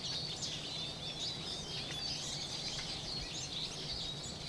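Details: A winter flock of Eurasian siskins coming down one after another to bathe chatters in dense, overlapping high twitters and thin chirps without a pause, over a faint low hum.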